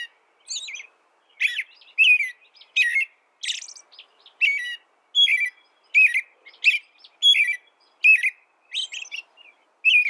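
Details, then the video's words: American robin song: a steady series of short, clear, whistled phrases that rise and fall, each under half a second and given about once every half second, against a quiet, clean background. "American Robin Bird Sound, Bird Song, Bird Call, Bird Calling, Chirps"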